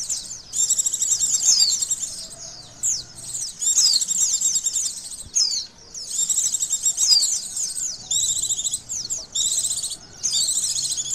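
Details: Oriental white-eye singing meant to provoke emotion and arousal: long, dense runs of very high, rapid warbled and trilled notes in phrases of one to two seconds, separated by brief gaps.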